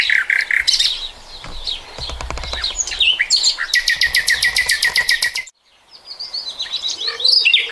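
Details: Song of a common nightingale recorded in 2020: a strong whistled opening, a long train of fast repeated pulses, a sudden stop, then quieter rising whistles.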